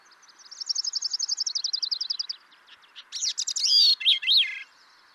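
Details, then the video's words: Grey-cheeked thrush song: a quick, even trill of high notes running for about two seconds, a brief gap, then a loud cluster of swirling slurred whistles that rise and fall before stopping. "Grey-cheeked thrush"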